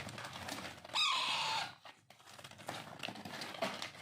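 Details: Hand-fed Alexandrine parakeet chick begging: a single grating, buzzy screech of about half a second that falls in pitch, set among clicks and rustling of the feeding session.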